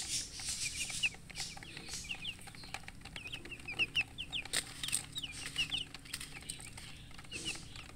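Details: Chicks peeping in soft, high, falling notes against a hissy background with occasional clicks and bumps.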